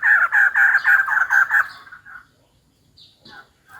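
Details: Female white-crested laughingthrush calling for a mate: a rapid chattering series of about seven loud, buzzy notes over one and a half seconds, trailing off, followed by a few faint higher notes.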